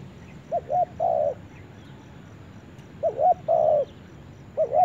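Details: Spotted dove in forest, phrases of two quick coos followed by one long drawn coo, repeated after a gap of about two seconds, with a quiet background.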